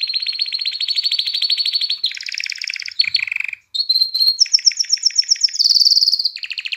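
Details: Continuous canary song used to arouse hens for breeding and encourage chicks to sing. Rolling high trills shift pitch every second or so, with a brief dip into lower buzzy tours and a short gap before bright fast repeated notes.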